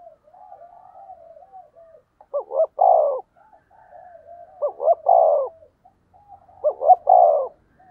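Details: Spotted dove decoy calling to draw rivals. Soft wavering murmurs lead into three low cooing phrases about two seconds apart, each of two sharp hooked notes and a thick drawn-out coo.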